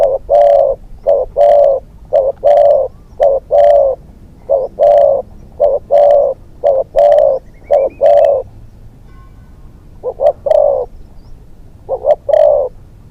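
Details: Spotted dove used as a hunting decoy, a young bird on its second training outing in Thailand, giving rapid series of low mellow coos, paired and grouped notes repeated nearly once a second, with brief pauses between bursts.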